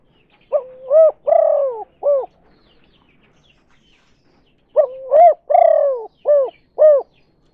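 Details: Tekukur or derkuku, the spotted dove, in a kuk 2 lure call for drawing in other doves; the phrase of a rising coo, a long descending burry note and two short coos is repeated twice with a pause between.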